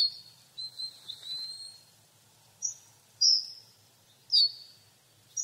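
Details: Hawfinch with thin, high drawn notes at the start, then sharp ticks and two longer sibilant seeping calls, irregularly spaced, against a soft low rumble.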